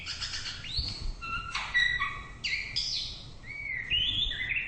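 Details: White-rumped shama song: rich, varied whistled phrases with rising and falling slurs, clear fluty notes and quick chattery bursts in a continuous flowing sequence, with faint low background rumble.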